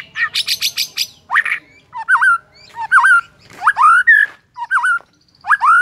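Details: Morning song of a white-rumped shama to provoke rivals: a rapid stuttering burst, then separated whistled phrases with dipping and rising notes, each about half a second long, with pauses between.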